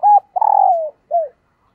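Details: Female dove calling to attract males: a clear, loud cooing phrase of a short level coo, a longer throbbing coo sliding downward, then a brief falling coo, all mid-pitched and tonal.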